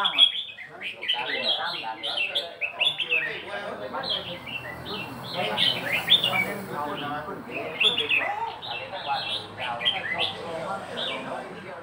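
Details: Red-whiskered bulbul giving a long, continuous stream of chirped and whistled song phrases, loud and jumbled, with quiet music behind.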